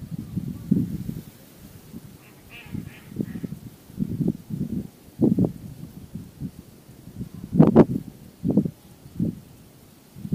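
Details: A Purple Swamphen (Western swamphen) feeding calmly on cattail shoots at the water's edge in the Ullal de Baldoví reserve, Sueca, Albufera de Valencia, in strong wind. It gives low, nasal grunting honks in irregular short bursts, with one louder, harsher squawk near the end.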